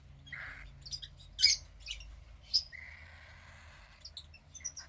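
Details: A young female cockatiel chick, about 15 days old from a pied pair, makes short hissing rasps and scattered thin, sharp chirps. One louder shrill burst comes midway, and a drawn-out breathy rasp lasts about a second.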